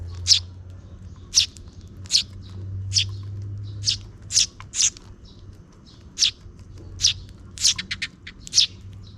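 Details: Two sparrow chicks fed by their parent as dusk nears; sharp high chirps repeated roughly every second, sometimes in quick doubles, over a steady low hum.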